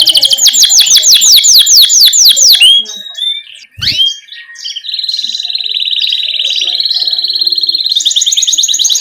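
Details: Canary rolling song (ngerol), used as a master lure to get young canaries singing: fast repeated sweeping notes, a short pause with a low thump, then a long even buzzing trill and a higher rapid roll.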